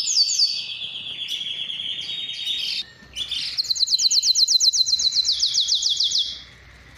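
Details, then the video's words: Spanish timbrado canary training song: sustained ringing rolls and trills, a brief pause near three seconds, then a fast, evenly pulsed metallic rattle of rising notes that fades toward the end. "SPANISH TIMBRADO SONG FOR TRAINING / CANARY TRAINING SONG"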